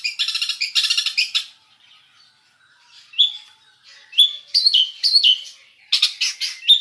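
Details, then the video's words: Long-tailed shrike song with a mix of varied phrases: a burst of harsh chattering notes, a silent gap, then scattered sharp, high, downslurred whistles and short squeaky notes that end in another rough burst. "Suara Cendet Campuran Isian Full"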